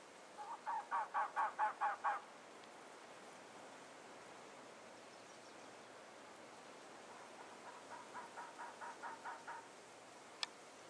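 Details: Two male Elegant trogons calling back and forth, Huachuca Mountains, southeast Arizona, April 12, 2009: a loud series of about seven coarse, repeated croaking notes, a long quiet pause, then a fainter answering series of similar notes.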